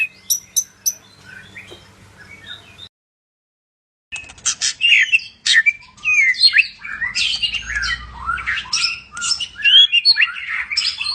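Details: Medan white-rumped shama song: soft, faint notes at first, a short gap, then an energetic burst of varied whistles, slurred sweeps and sharp chips tumbling rapidly together.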